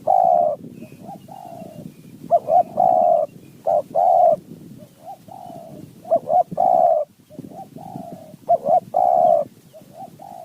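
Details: Spotted dove in wild mountain forest responding to a decoy, in the 'throw 4 3 2 1 kuk' style: repeated phrases of quick clipped coos, each closing on a longer rough coo, alternating with quieter coos from a second bird.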